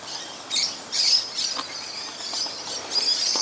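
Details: Musk lorikeets keep up thin, piercing screeches in waves as they feed in a tree one Christmas morning. A loud chorus with little pause.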